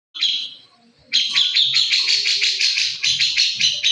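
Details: Grey-cheeked bulbul, recing style, used as a training recording: one short raspy burst, a pause, then a fast run of harsh, buzzy chattering notes, about three per second, loud and close.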